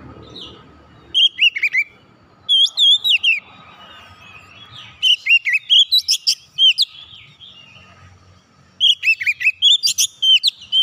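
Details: Kacer, or oriental magpie-robin, singing gacor to get a silent bird singing again: three separate bursts of loud, rapid whistled phrases with sharp up-and-down slurs, spaced by a few seconds of soft chirping and faint low noise.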